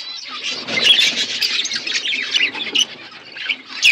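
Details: Flock of budgerigars eating winter foods, constant overlapping high-pitched chattering and squeaky warbles, rising to a louder squawk at the end.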